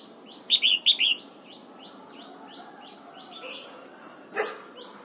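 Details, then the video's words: Red-whiskered bulbul being trained to sing in the morning, pushed toward the double-note wild-forest style: a loud burst of three quick whistled notes near the start, then many fainter repeated chirps from other birds and one sharp click. "Luyện giọng chào mào hót sáng, ép chào mào hót âm kép già rừng hay tuyệt!"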